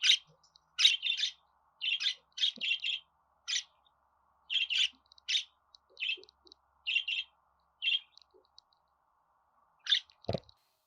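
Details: Budgerigar chattering for several seconds: buzzy chirps in twos and threes repeated roughly every second, with a short low thud near the end.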